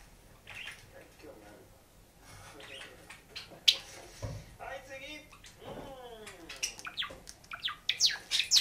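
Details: A male cinnamon Java sparrow sings: soft clicks and high chirps building into a quick, tinkling run of bell-like and buzzy notes, with other Java sparrows singing alongside.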